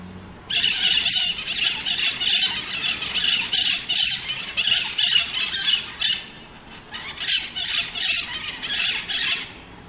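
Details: Pionus parrot, known as maritaca, squawking almost continuously for several seconds in coarse, raspy pulses, pausing briefly before another long run of harsh screeches.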